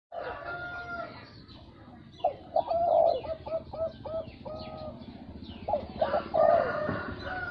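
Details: Zebra dove song: a soft, low series of quick, rolling coos, fast staccato notes in short runs, repeated twice, over steady background noise.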